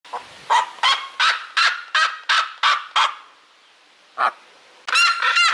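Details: A seriema gives a run of eight loud, harsh yelping barks at about three per second, then a lone yelp and a final burst of rapid, ringing yelps; these screams can be heard for several kilometres.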